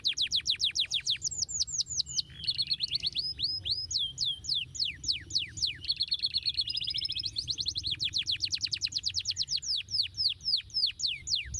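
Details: Long canary song meant to make other canaries reply and sing again: alternating runs of sharp descending whistles and buzzy chattering trills, steady and unbroken, with tours changing every second or two.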